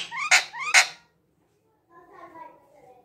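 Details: A green parrot, tagged as an Indian ringneck and shown talking, gives two harsh, rising squawks in quick succession, then after a pause a soft, murmured speech-like chatter.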